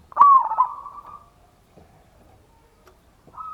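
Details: Lure song of a local zebra dove (perkutut) in the ngayer kerot nutut style, used to make other doves respond: one loud, vibrating coo with a quick upward-flicked start, then a quiet pause before the next phrase begins.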